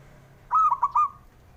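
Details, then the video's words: A single four-note phrase from a male zebra dove, given to encourage lazy birds to sing: a longer opening coo, two quick clipped notes, then a sustained ringing final note. "JENIS SUARANYA🔊 PALING BANYAK DI CARI UNTUK PENDOBRAK PERKUTUT MALAS BUNYI"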